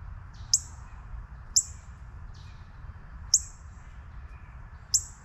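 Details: Juvenile northern cardinal giving sharp, high, down-slurred chip notes, four spaced irregularly about a second or more apart, over a low steady background rumble.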